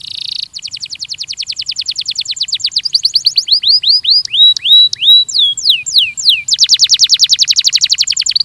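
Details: Belgian canary training song: a steady rapid trill breaking into sweeping, downward-curving whistles, then ending in a loud fast buzzy roll of high notes.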